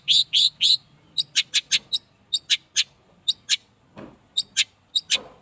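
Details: Eight-month-old long-tailed shrike on its first sunning: three loud rasping notes open, followed by a steady string of short, bright, sharp chips about four per second, with faint low background noise.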